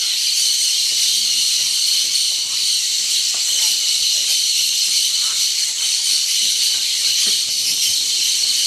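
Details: A large flock of cobalt-winged parakeets at a salt lick in Yasuní, Napo, in March makes a steady, high, hissing wall of shrill chatter that runs unbroken throughout, with no other clear sounds.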